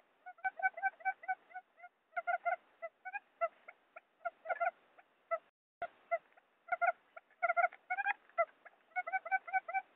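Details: Forest quail sound used as a trapping lure: soft, quick chirps grouped in irregular bursts over ten seconds, with a sharp click midway.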